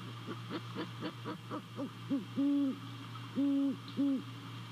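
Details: Hooting at the nest in Savannah, a great horned owl calls around 2:39 a.m. on 28 December 2020. Quick soft notes give way to four strong, low, flat hoots, two short and two held, and a steady background hum runs beneath.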